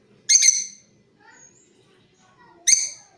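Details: Lovebird, Creamino colour variety, giving a lure sound for training other birds: two short harsh chattering bursts with bright upper harmonics, separated by about two seconds of near silence with faint chirps.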